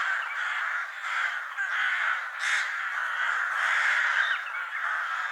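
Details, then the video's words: Crows squabbling over food keep up a crowded, rasping chorus of caws, one louder, sharper call standing out midway above the steady overlapping calls. "Crow sounds / Crow call to Attract Crows for food"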